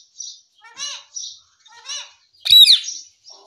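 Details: Baby pet parrot talking indoors and repeating the word "Mummy". Short high, breathy syllables with a rising and falling contour come in quick bursts, followed by one louder, sharper squawk-like call.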